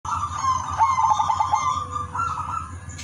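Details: Udan Mas silver zebra dove (perkutut) singing steadily with a melodious rhythm, used as a lure for other zebra doves. A rapid stuttering run of notes slides into drawn-out mid-pitched coos. A steady high whine and low hum sit behind it.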